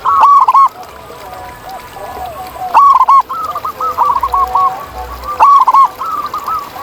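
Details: Zebra dove in the wild giving its song, a series of quick, bubbling, stuttered coos in phrases about every two and a half seconds, with softer overlapping cooing from other doves behind.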